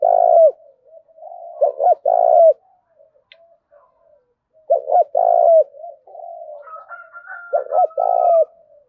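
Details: Spotted dove in a fierce territorial contest, voice style thổ pha đồng: four phrases of stuttered short notes and a long vibrating coo, irregularly spaced, with soft cooing between and a faint thin whistle late on.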